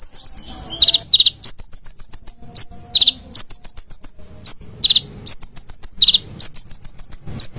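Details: Konin singing steadily on a cage-bird training master: a continuous stream of high sharp chirps, short whistled bursts and descending buzzy notes, repeated in quick phrases.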